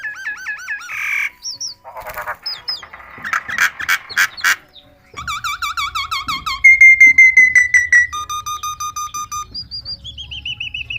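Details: Talking myna producing a varied medley of wavering whistles, clicking rattles and buzzy notes, followed by a long steady whistle and short repeated tonal pips, with a low rumble in the background.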